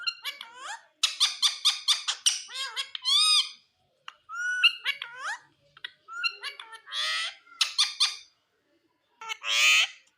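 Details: Indian green ringneck parrot talking: rapid series of harmonic chattering syllables and short words with rising and falling inflections, broken by pauses, plus a few harsh raspy squawks.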